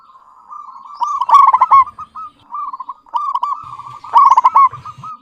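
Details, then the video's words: Local zebra dove in clear, lively song: soft bubbling coo notes building into two loud stuttering trilled bursts about three seconds apart. "Perkutut lokal GACOR suara jernih BAGUS MEMIKAT"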